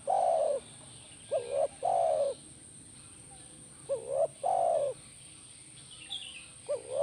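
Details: Spotted dove (tekukur) call for eliciting an answer from another dove: repeated phrases about every two seconds, each a short kinked note leading into a longer mellow falling hoot. Faint high chirps are heard near the end.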